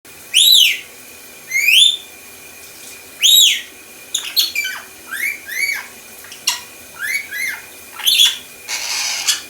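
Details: A pet lorikeet mimics Star Wars R2D2 robotic beeps with bright, high whistles that swoop up and down in quick bursts every second or so, ending in a brief hiss.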